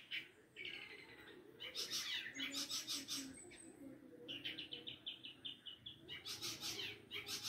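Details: Long-tailed shrike singing in a lively, varied way, with bursts of loud scratchy high notes, a quick run of short chirps in the middle and rough broadband calls returning near the end.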